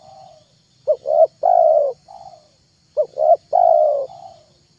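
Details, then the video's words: Spotted dove calling to lure other doves: two phrases of two quick hollow notes followed by a long coo and a softer trailing note, over a faint steady hum. "MP3 TEKUKUR PIKAT TERHITZ DI AKHIR TAHUN 2022,,pikat tekukur"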